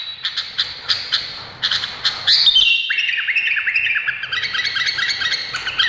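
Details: Spaced chirps from an Indonesian bulbul build into a continuous, jumbled warble of falling slurred notes and rapid twitters.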